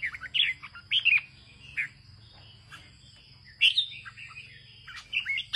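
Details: Red-whiskered bulbul, a farmer's bird, singing in the northern Vietnamese style: bright, slurred whistled phrases in short bursts separated by pauses, with a steady high tone and low hum behind.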